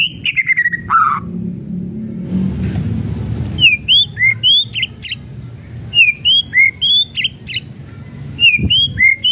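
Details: White-rumped shama kretekan song to provoke rival shamas. A whistled phrase is followed by a noisy pause, then bright clipped whistles and sharp clicks in quick succession, with a low hum behind.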